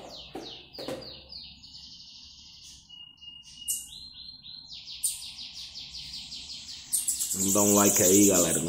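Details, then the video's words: Bananaquit coming out of moult and singing: high buzzy phrases and short sharp notes, a steady thin tone, then fast pulsed trills, ending with a loud burst of lower, harsher sound. "Sibite malukinho... saindo da muda cantando bem..."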